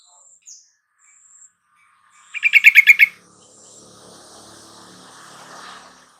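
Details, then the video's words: A burst of about six fast, evenly spaced chirping notes from a yellow-vented bulbul, a lure meant to prompt a caged bird that will not sing, followed by soft background rustle. "Pancingan TRUCUKAN MALES KICAU dan MACET TOTAL Agar nyaut GACOR"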